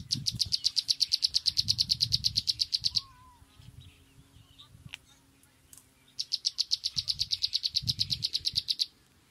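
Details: Sunbird calling: two bursts of rapid, high, sharp chip notes, about eight per second, each lasting roughly three seconds, separated by a quiet gap; low rumbling background noise.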